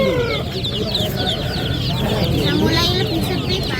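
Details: A flock of ducklings chirps nonstop, its short high peeps tumbling over one another, with a few longer whistled notes and a low rumble beneath.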